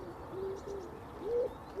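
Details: Wood pigeons up in the trees in Norwich city centre, UK, repeating their soporific five-note song over and over: soft, low hooting coos, a few muffled notes in a lazy rhythm, over a steady background hum.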